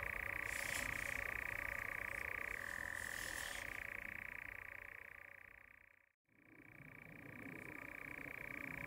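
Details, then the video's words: European nightjar churring while courting at dusk, a rapid rattling trill that drops to a lower pitch for about a second, then fades out and back in after a brief break. "Courtship Nightjars / Nachtzwaluwen baltsen (Caprimulgus europaeus)"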